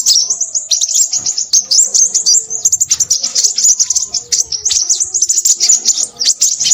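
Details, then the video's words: A Crimson sunbird sings busily, pouring out thin, high, fast twitters and sharp ticking notes in long unbroken runs, with tiny gaps between quick phrases. "burung sepahraja ribut"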